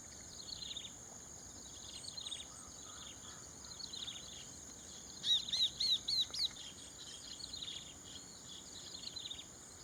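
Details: Chestnut-capped babbler, rice fields of Prachuap Khiri Khan, Thailand, 2025. Mostly faint, scattered chips, then midway a brief burst of four or five crisp, high, falling whistles. A steady high insect drone continues.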